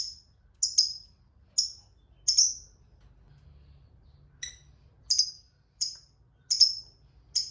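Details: Fighter lovebird sounds used to draw answers from silent lovebirds. Short, sharp, high chirps come singly and in pairs at irregular intervals, with a pause in the middle. The background is quiet.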